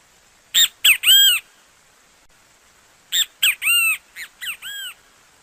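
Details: Brazilian great kiskadee song: a loud three-part phrase of two clipped harsh notes and a drawn-out arching note, then a second burst of five or six raspy notes about two seconds later.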